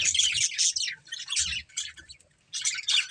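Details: Chirping pet budgies in a family group: harsh, buzzy warbled bursts and squeaky notes, two main phrases with a quiet gap before a final burst.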